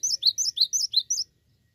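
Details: Cinereous tit singing vigorously, about four sharp two-note phrases in quick succession, each a high thin whistle followed by a lower note, ending abruptly into quiet.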